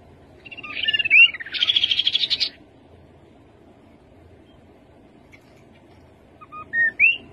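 High thin whistles, then a fast rattling trill of about a second; after a pause, two short rising whistled notes. Faint low background hum.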